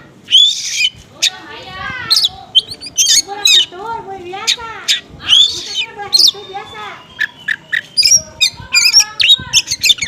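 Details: Oriental magpie-robin in konslet style, with small-bird material, used as a lure to provoke magpie-robins that respond poorly: dense, varied high twittering with bright whistled slurs, rapid chips and short rattles, loud throughout.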